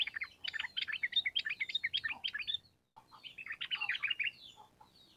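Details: Sooty-headed bulbul in full song, a long rapid run of bubbly chattering notes in two bursts split by a short pause. The recording is used as a lure to train birds.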